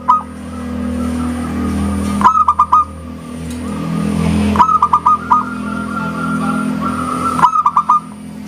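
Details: Zebra dove of a local strain in full, lively song, its clear 'engkel' ending praised. Three short runs of rapid rolling coos come every two to three seconds against a constant low drone and faint whine.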